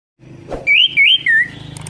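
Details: Orange-headed thrush song used as stimulation for a bird that has stopped singing: three loud, clear whistled phrases, each warbling up and down in pitch, delivered back to back with short gaps.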